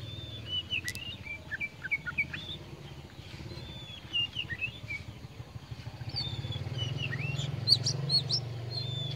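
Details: Singing tame Oriental magpie-robin, kacer poci form, delivering short whistled notes and bright chirps in irregular bursts about twice a second, over a steady low rumbling hum that grows stronger toward the end.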